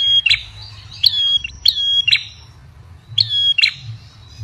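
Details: Ashy tailorbird call used as a lure, a series of sharp, high chirps each followed by a short whistled tone, coming in pairs, over a low background rumble.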